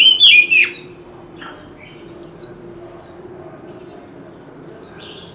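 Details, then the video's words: Male Oriental magpie-robin in contest singing with a wild-type voice: a loud burst of warbled whistles at the start, followed by sparse, short, high chirped notes spaced about a second apart over quiet background. "Chòe Than Trống Hót Liên Hồi – Âm Thanh Chuẩn Giọng Rừng - Chích Chòe Than Hót Đấu"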